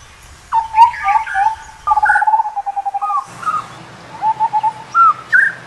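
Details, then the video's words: Hollow whistles and a fast run of even piping notes from an Indian scimitar babbler, followed by rising slurs and short phrases against a low humming background. "Indian Scimitar Babbler Call"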